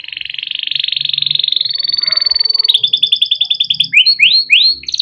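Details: Yellow canary in long rolling 'ngerol' song, kept as a master bird for young canaries: a fast buzzing roll of many rapid pulses runs for nearly three seconds, then breaks into clipped repeated notes and rising whistled slurs.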